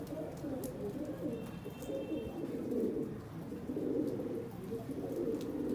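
Several pigeons coo together in a low, throaty, rolling murmur that overlaps without a break, with a faint high squeak now and then.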